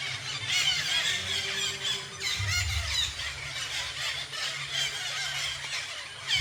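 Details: Numerous parakeets gathered in a tree at the Garo Para natural bird sanctuary, a continuous chorus of harsh, high squawks and squeals overlapping throughout, over a faint low rumble.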